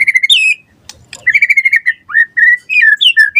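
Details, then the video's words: Short burst of White-rumped shama song used to lure replies and train other shamas: fast stuttered whistles, a brief pause with faint clicks, then rising whistled slurs and steady notes. "Suara Murai Batu Gacor cepat RESPON NYAUT buat Pancingan Masteran Burung Murai Biar Gacor Full Isian"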